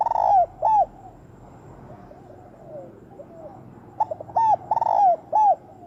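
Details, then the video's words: Spotted dove giving a fast, intense 'thúc bổi' lure call used in trapping. Two loud arched coos open, then soft murmuring coos, then a rapid burst of four or five strong, bending coo notes. "Tiếng Chim Cu gáy mồi thúc bổi tốc độ cực mạnh"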